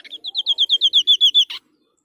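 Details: Close, loud white-breasted babbler: an accelerating series of about twelve ringing whistled notes, each slightly lower and longer, finishing with a short harsh burst.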